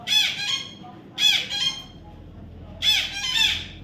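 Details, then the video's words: Young parrot, reportedly an Indian ringneck, being tamed: three bursts of raspy, harmonic-rich squawks, each burst doubled, separated by pauses of about a second. "natural funny parrot sound"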